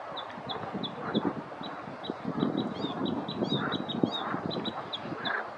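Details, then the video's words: Bluethroat (Luscinia svecica) singing from a treetop: a steady run of short, high, ringing notes, about three a second, over a low rumbling background noise. "Blauwborst , Bleutroat, Luscinia svecica - Zangers"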